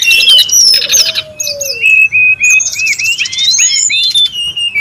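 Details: In the wild, a brown-chested jungle flycatcher calls boisterously for lure use: dense high chirps and slurred whistles run almost continuously, over a brief low whistle near the start.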